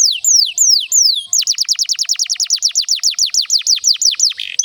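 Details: Long canary song meant to spur silent or young canaries into singing: a few downward-slurred whistles, then a fast rattling trill of steeply falling notes at about three per second, bright and high.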